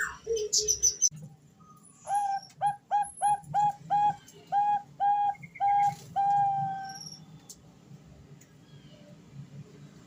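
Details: Female Bangkok zebra dove calling the male, used as a lure for males learning to sing: a run of about ten short cooing notes with a quick upward hook, evenly spaced, over a low background hum.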